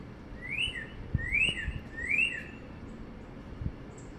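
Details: Northern cardinal perched on a wire in sunny North Central Florida, spring 2022, giving three clear slurred whistles that rise then drop, spaced about half a second apart, with faint low background rumble.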